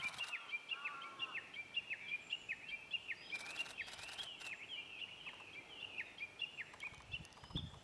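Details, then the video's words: Japanese bush warbler song, a rapid chain of short, clipped whistled notes repeated at a steady pitch for nearly eight seconds, with a few lower slurred notes early on, faint background hiss and brief bursts of noise. "ウグイス サエズリ"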